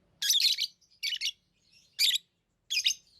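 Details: Four loud, shrill lovebird chirps, roughly one a second, each a rough buzzy burst, with faint soft squeaks between them.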